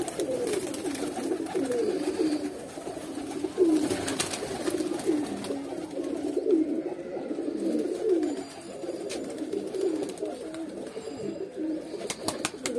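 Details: Several Pakistani teddy pigeons of Dubai breeding in a pigeon loft coo at once, low, soft rolling notes that overlap continuously, a steady chorus with no other clear sounds.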